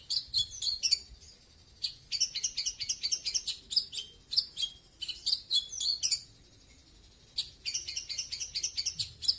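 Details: Long-tailed shrike in 'tembakan slow' style: quick sequences of sharp, high whistled and chattered notes, tumbling in runs of several per second, with brief gaps between phrases.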